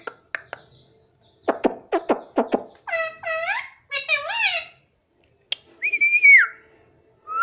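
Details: Talking parrot repeating "mummy" and "papa": several short harsh clicks, then wavering harmonic syllables, and a clear drawn-out whistle that falls away at the end.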